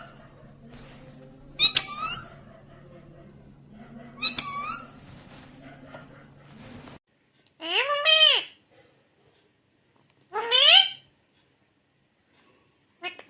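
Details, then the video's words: Talking Indian ringneck green parrot: soft speech-like sounds over a low steady hum, then two loud, bright, harmonic phrases that sweep up and down, spaced about three seconds apart. "Natural Sound of Talking Ringneck green parrot"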